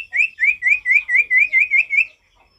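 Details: Male Javan tesia, wild forest-style vocalising: nine evenly spaced, upslurred whistles repeated about four times per second, each rising then dropping slightly, followed by quiet.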